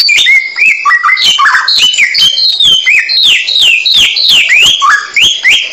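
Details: Samyong bird singing a rapid series of rising and falling whistled slurs, accompanied by regular sharp clicking or tapping sounds.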